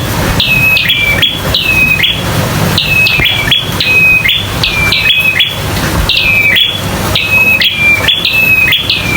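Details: Local bar-winged prinia in fighting mode, loud, repeated phrases of sharp chirps and falling whistled notes. Each phrase lasts about a second and recurs steadily, with dense clicking notes between phrases.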